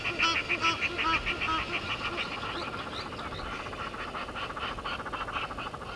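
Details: At Gowrie dam in South Africa's Sabi Sand, Egyptian geese quarrel with intruding geese, late afternoon 17:08 on 10/04/21; clear rhythmic nasal honks open the clip, then thin into a fainter, rapid chattering series.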